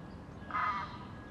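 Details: Reunited pair of great crested grebes courting and nest building; a single short, rasping, nasal call against soft background noise.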